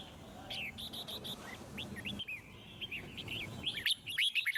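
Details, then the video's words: Wild-voiced Red-whiskered bulbul singing, used to encourage other birds to sing: a steady run of short, bright, rising and falling whistles over a low murmuring background, becoming busier and louder near the end. "Chim Chào Mào Hót Hay - Giọng Rừng Cực Đỉnh | Kích Thích Chim Hót Căng"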